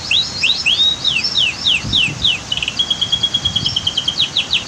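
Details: Canary singing near a waterfall and dam: loud, fast series of sweeping whistled notes, then a steady rapid trill, over a constant low rush of falling water.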